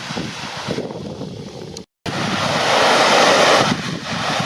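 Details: Wind and breaking surf hiss, briefly cut to silence near two seconds, then rising wave wash; no animal calls.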